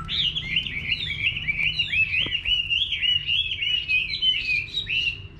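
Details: Chinese hwamei in full song in a Vietnamese village garden, a steady stream of loud, clear whistled phrases rising and dipping, with one brief click near the middle.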